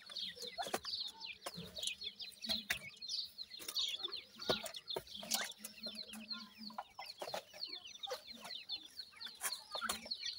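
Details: Dense chatter of francolin chicks: countless short high peeps and downslurred chirps pour out continuously, overlapping one another, with frequent sharp taps and a low hum in the background.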